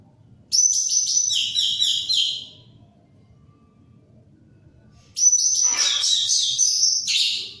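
Orange-headed thrush in two rich, rapid bursts of high, varied warbling and whistled phrases, each about two seconds long, separated by a quiet pause.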